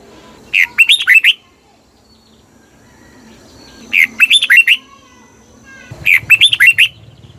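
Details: Red-whiskered bulbul song recorded in Thailand for use as a decoy or to excite caged birds. Three lively phrases of quick, warbling whistles arrive about every two and a half to three seconds.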